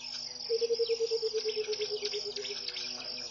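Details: A Burchell's coucal at Pete's Pond, Mashatu Game Reserve, Botswana, gives its early-morning song in January 2014: a loud, liquid cascade of low hollow notes, gradually slowing and dropping for about two seconds, with constant shrill insects behind.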